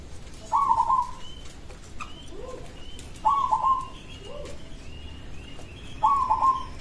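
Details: A local zebra dove sings to prompt other zebra doves to respond, giving three brief stuttered cooing phrases about three seconds apart, each a quick burst of pulsed mid-pitched notes, with faint higher chirps between them.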